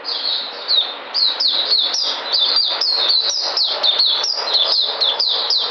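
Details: Recorded 13 February 2020, a white-eye regaining its energy delivers a continuous, fast series of high, downslurred chirps, about two per second, tumbling together without pause.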